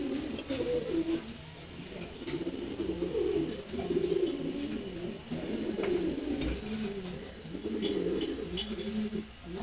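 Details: Silver Gola pigeons, a kept pair indoors, giving long series of low rumbling coos in repeated bouncing phrases, around six bursts, with occasional clicks and soft knocks.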